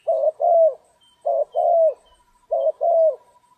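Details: Spotted dove during trapping on a stormy, rainy day gives a two-note coo, short then longer and falling, repeated three times about every 1.2 seconds over a faint steady tone.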